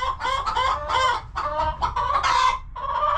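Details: Hens clucking and resting inside their coop, a dense run of harmonic, nasal clucks and squawks with almost no gaps, some notes drawn out and wavering.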